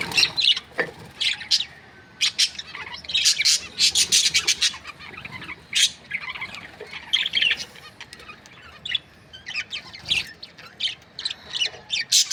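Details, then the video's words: Breeding-pair budgerigars give sharp, separate chirps and clicks in uneven clusters, with some bursts sounding like brief wing flutters amid quieter gaps. "Budgies parrot chirping sound"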